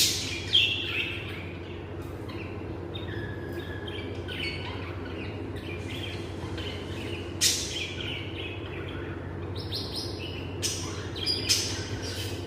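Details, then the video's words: Lovebirds giving sharp, high chirps and short squeaky calls in scattered bursts, with loud clusters near the start, around seven seconds and again near eleven seconds, over a steady low electrical hum. "lovebirds ' sounds Relaxing || Love birds sounds"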